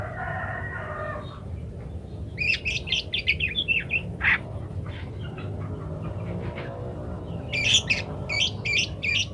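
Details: Parakeet singing in varied style for a munia training master: a faint warbling phrase at the start, then bursts of squeaky chatter, a lull, and sharp high chirps in a quick series near the end.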